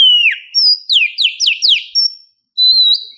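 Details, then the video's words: Oriental magpie-robin female in heat calling for a male, morning lure recording: a falling whistle, then a series of steep downslurred notes, a held high whistle, a short pause, and a steady rising whistle. "Pancingan Burung Kacer di pagi hari langsung nyaut.."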